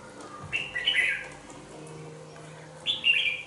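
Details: Two-month-old caged red-whiskered bulbul sings two short warbled phrases of liquid notes about two seconds apart. A steady low hum sounds between them.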